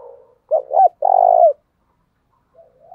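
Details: Spotted dove kept as a lure, cooing to draw in wild doves: a short note, a doubled note, then a long throaty coo that falls at the end, with faint softer coos before and after.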